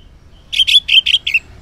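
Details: Morning song of an orange-headed thrush, played as a lure so quiet males reply: five quick rough high chirps in a tight burst, each slightly lower, with low background hum.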